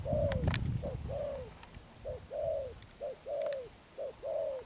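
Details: Spotted dove cooing in the "gù âm sấm thổ" style: low hooting pairs, a short note followed by a longer arched coo, repeated roughly once a second. Low thumps and clicks are heard at the start.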